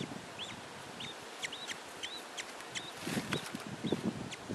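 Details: Female budgerigar with her three chicks: short, high, arched chirps about twice a second, with soft low clucking and rustling sounds joining in toward the end.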